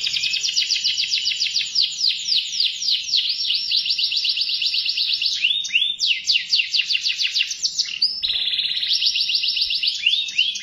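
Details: Canary in continuous song, with dense fast trills shifting through several rolling phrases, a short drop in the middle and then lower, sweeping trilled notes.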